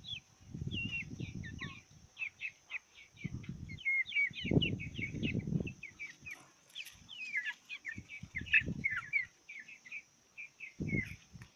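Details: A brood of Brahma chicken chicks peeps almost nonstop with high, quick, rising and falling chirps, while low thumping or rustling bursts come and go over a faint steady high whine.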